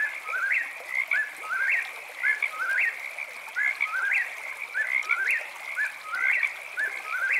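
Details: Eastern whip-poor-will calling steadily at night, about seven loud whistled phrases in quick succession, each climbing to a sharp final note, while frogs keep up an unbroken chorus.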